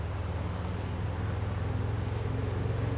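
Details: Low droning engine rumble with a pulsing hum continues throughout, with no animal calls.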